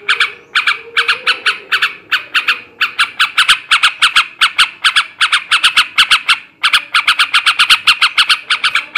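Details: Yellow-vented bulbul male giving ngebrem ngekek garuda chatter, said to stimulate breeding. Dense runs of rasping cackling notes follow each other almost without break, a few short gaps between bursts.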